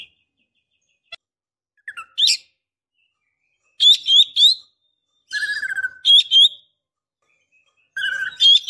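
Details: Female white-rumped shama in breeding condition, calling to provoke a male to reply. Scattered sharp chips give way to triplets of short harsh notes and a lower stuttering whistled note, repeated in short bouts with quiet gaps.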